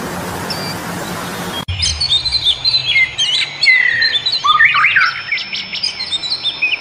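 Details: Bird chorus in nature after a second and a half of hissy noise: varied chirps, a clear descending whistle and quick rising notes follow in irregular bursts.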